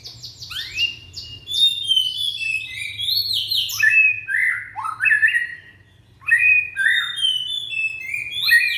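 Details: Indonesian young white-rumped shama showing off its song, a lure for shamas that stop singing: fast high rattling notes then rich falling whistles and slurred phrases, one brief pause before resuming.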